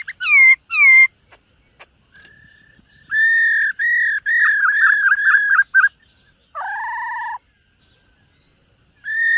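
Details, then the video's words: Black-throated laughingthrush in morning voice training, singing as it dances: two looping whistles open, then after a quiet gap a chain of strong flat whistled notes, a lower nasal buzzy note, and one final whistle. "Khướu BẠC MÁ hót MÚA luyện giọng . Khướu hót sáng luyện giọng kích bổi"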